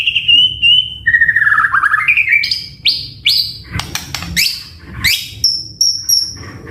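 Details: White-rumped shama in a lure and training song recording, in full singing form with varied fill-in phrases: clear whistled notes, a descending slurred phrase, rapid trills, then sharp upward-sweeping whistles and high thin notes.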